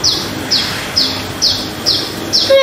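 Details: A pet talking myna says a few words, heard as six sharp, high chirps that slur downward, about two each second, ending with a brief lower tone.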